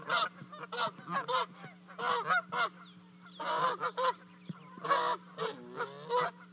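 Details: Canada geese, Charlo, Montana, 12 May 2020, while two goslings drop from a 30-foot-high nest to their parents; harsh, noisy honking bursts in clusters separated by short pauses, with few clear high peeps.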